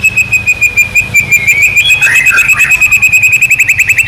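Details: White-rumped shama singing to provoke a rival shama: a steady, fast trill of high repeated notes throughout, with a brief warbled phrase in the middle.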